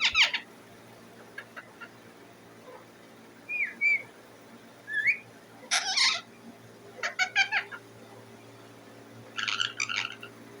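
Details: Indian ringneck parakeet at home, mixing harsh chattering bursts with two short slurred whistles, then stuttering rapid chirp series separated by quiet gaps.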